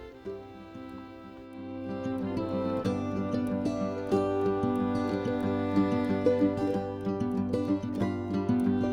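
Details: Instrumental music with plucked strings and violin, rising in loudness after the first seconds, with no animal sounds.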